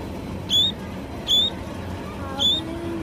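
A sparrow gives three short, bright chirps about once a second, each a quick high note, over a low background hum.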